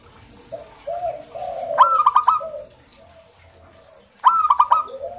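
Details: Local zebra dove singing: a high, bright coo breaks into a quick stuttering run of clipped notes, heard twice, with softer lower hooting coos between phrases.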